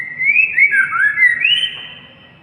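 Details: Song of a white-rumped shama: rich fluting whistles that swoop up and down in a flowing phrase, climb to a higher sustained note, then fade away quietly over the last second.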